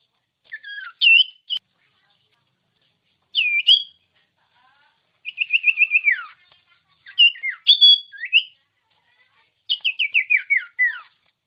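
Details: Common iora song played to stir lazy birds into singing: separate phrases of looping whistled notes, a rapid stuttering trill sliding downward, and cascades of short descending chirps, each burst followed by quiet.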